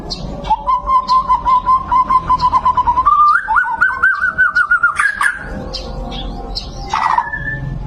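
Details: White-rumped shama producing a long, pulsed whistled note held at one pitch, then stepping up to a higher pulsed whistle, with scattered sharp high chips and a short burst near the end.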